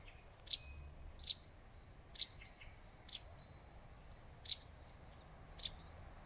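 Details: A wagtail on a shaded forest branch gives brief thin high calls about once a second, sometimes with a softer trailing note, above constant low environmental noise.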